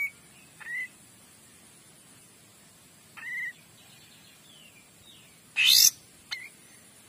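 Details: Clear song from a Kapas tembak: short hooked whistles repeated every few seconds, faint sliding notes between them, and one loud rasping burst before a final brief whistle. Steady low hiss throughout.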